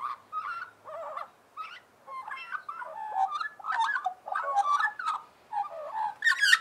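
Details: A group of Australian magpies warbling in harmony, a rapid run of short, varied gurgling and fluting phrases with brief pauses and a few sharp higher notes.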